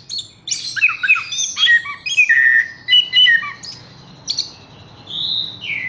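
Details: Horsfield's bush lark sings in bursts of scratchy chirps and clear level whistles, then ends with drawn-out downslurred whistles.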